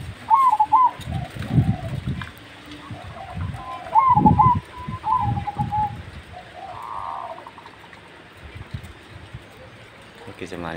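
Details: Zebra dove of the Majapahit type with a big voice, cooing to lure other doves into song: several rolling coo phrases in the first half, mixed with heavy low knocks, then quieter background.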